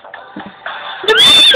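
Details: A pet lineolated parakeet, apparently unimpressed by the song "Macho Man" playing, gives a loud, harsh, slightly rising squawk near the end, over the music and a person's voice.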